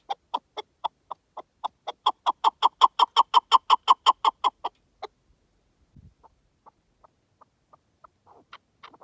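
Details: Wild partridge giving a long run of clucking notes. The notes start spaced, quicken and swell louder into a fast even series, then stop abruptly. Faint scattered clicks and soft notes follow in near silence.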